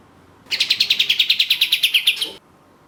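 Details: Orange-spotted bulbul (katem) singing vigorously, one rapid run of about fifteen crisp high notes lasting roughly two seconds, evenly spaced and steady, clean background.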